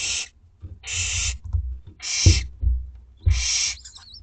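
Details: In a school garden nest, two-week-old Barn Owlets hiss-screech for food at dinner time, four loud rasping bursts alternating with knocks and rustles, ending with a thin squeak.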